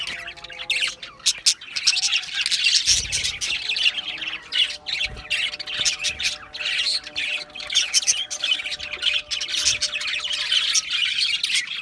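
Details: Constant budgerigar chatter: busy, scratchy warbling and sharp squawks overlapping without pause, over a faint tonal hum in the background.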